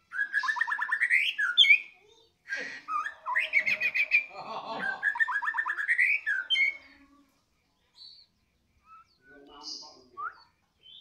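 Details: White-rumped shama singing energetically just after feeding: fast runs of repeated rising whistled notes and rattling trills in loud phrases for about seven seconds, then scattered softer chirps and short whistles.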